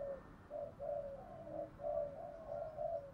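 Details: Spotted dove used as a decoy, cooing fast in a local voice style to lure wild doves to fight: soft repeated coos, about eight short notes in three seconds, over steady background noise.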